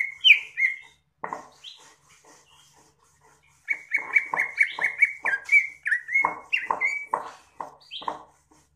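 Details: Cucak ijo, the greater green leafbird, gives a few loud whistled phrases, falls quiet, then bursts into a fast run of clear whistles with rough lower undertones.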